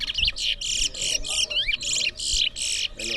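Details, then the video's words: Twa-twa racing at a Berbice bird ground in New Amsterdam, Guyana, 2024; bright, rapid warbled bursts come in steady pulses about every third of a second, loud and clear over faint crowd murmur. "TOWA TOWA BIRD RACE"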